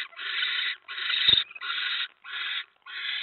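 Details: Barn owl at the nest as a mouse is delivered, 10 November 2017 at 7:50 PM: harsh, breathy hissing screeches, five broad noisy bursts of roughly half a second each with short gaps, one sharp click in between.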